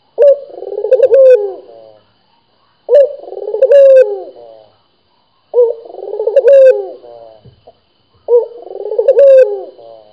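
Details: A kept Barbary dove (Streptopelia risoria), being stimulated to call, gives four low, rolling coos, each about two seconds long and spaced roughly every two and a half seconds, against a quiet background.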